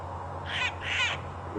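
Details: A Burchell's Starling, arriving among birds flocking to a termite mound for an easy meal on an evening sunset safari drive on 21 July 2015, gives two harsh, grating squawks in quick succession over a low engine hum.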